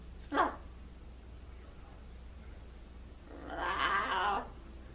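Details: Blue-and-gold macaw, a trained pet that greets and mimics crying, gives a brief sharp squawk, then a longer, loud, grating call lasting about a second after a quiet gap.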